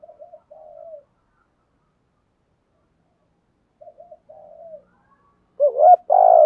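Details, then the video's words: Spotted dove in 'thúc gù' style: two quiet coo phrases of quick stuttered notes and a falling purred coo, several seconds apart, then a much louder, closer burst of rounded coos at the end. "chim cu gáy thúc gù bài bản giọng hay"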